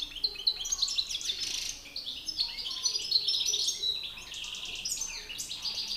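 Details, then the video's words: Goldfinch males dueling in song, a master bird facing an agitated challenger: dense, continuous twittering with rattling trills and tinkling chirps, briefly dipping before resuming. "Battle de chardonnerets"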